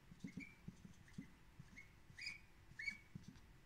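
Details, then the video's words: Pet male duck at breakfast after eating salad, begging for more food with a thin baby-like voice: soft, high, slightly rising peeps spaced irregularly, over faint low clicking from feeding in a quiet room. "Duck eats salad for breakfast, begs for more with cute thin baby voice"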